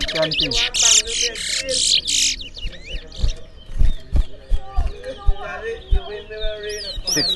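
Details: Towa towa seed finch singing during a bird singing competition in Berbice: a dense, loud burst of buzzy high trills and whistled slurs for about two seconds, then softer scattered chirps among people talking and counting aloud.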